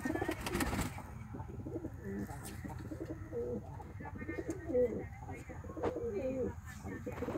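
Fantail pigeons give low, rolling, throaty coos, repeated and overlapping almost without pause, after a brief rustling burst at the start.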